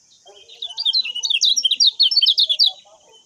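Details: Common iora master song to train other birds: a continuous stream of rapid, sharp high chirps, about two seconds long, with faint lower calls and a constant hiss.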